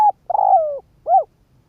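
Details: End of a decoy Spotted dove's cooing phrase used to call in wild doves: a long, slightly wavering coo sliding downward, then one short rounded coo.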